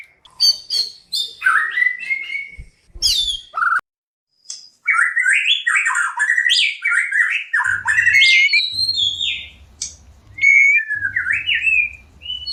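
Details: White-rumped shama singing while in breeding condition and wanting to mate: rapid jagged whistled runs climbing and dropping, sharp high notes, a brief silence, then a long fluid stream of phrases over a faint low hum.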